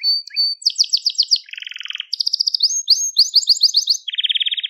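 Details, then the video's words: Crested Gloster canary singing, recorded to train young canaries: a fast run of varied trills and rattling tours, bright whistles and buzzy chatter, switching phrase every half second or so, with no other sounds. "Muhteşem Tepeli Gloster Kanarya Ötüşü | Gloster Kanarya Sesi"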